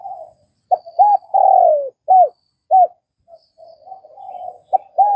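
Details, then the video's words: Spotted dove, Vietnam, opening with a low murmur, then two short arched notes, a long falling coo and two clipped notes, closing with soft warbled cooing. "Tiếng cu gáy Việt"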